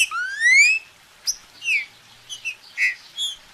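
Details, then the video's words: Green-winged saltator song: a long rising whistle with bright overtones, then a gap and a series of short, clipped whistled notes and slurs at uneven spacing. "TRINCA FERRO ESQUENTAR SEU PASSARO"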